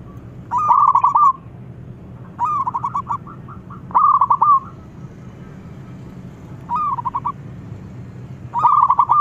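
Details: Local zebra dove calling energetically, a rival replying: five distinct phrases of rapid, bubbling coos spaced about two seconds apart, each ending with a short trailing note, over faint low hum.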